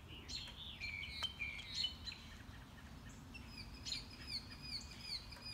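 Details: Morning-walk mockingbird running through its repertoire: quick slurred whistles and chips, then a rapid series of high repeated notes, over constant low background rumble.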